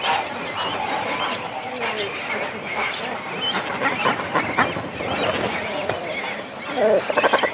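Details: Cormorant chicks and adults calling on the nest in a breeding colony, close up: a dense chorus of overlapping harsh, nasal calls with rapid, buzzy stacked bursts, many birds at once, and a louder run of clipped pulses near the end.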